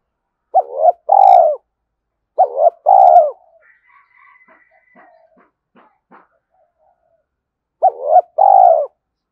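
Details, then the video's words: Spotted dove in urgent cooing mode to lure wild doves: three mellow phrases, each two short notes then a longer descending coo, with faint clicks and knocks between them. "Tiếng cu gáy thúc gù tốc độ/ cu gay kich boi nhanh noi gù"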